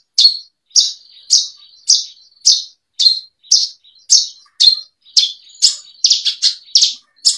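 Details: Bushlark song for training caged birds: a steady run of bright chirped notes about every half second, joined by a faint thin whistle, ending in quicker doubled notes.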